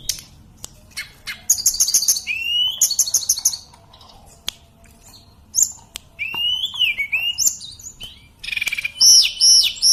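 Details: Sunda robin, locally called tledekan, in sustained song; buzzy trilled bursts, slurred descending whistles and clicks, ending with repeated high hooked notes.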